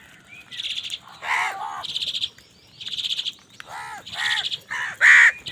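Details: Amid a fight for food, crows give hoarse descending caws interleaved with buzzy, rattling higher calls, bursts alternating over about five seconds, ending in one loud caw.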